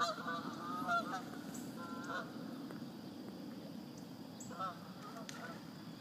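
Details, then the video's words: Geese along the Chattahoochee sounding three or four spaced, nasal honks, strongest at the start, against a continuous low rumble and thin high-pitched hiss. "Chattahoochee Geese"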